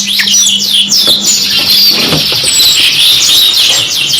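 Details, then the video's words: A canary sings in a 2 in 1 master recording, pouring out a very high, unbroken stream of fast trills and sweeping whistles, with a faint low hum in the background. "MASTERAN 2 IN 1 KENARI MEWAH | CANARY SINGING"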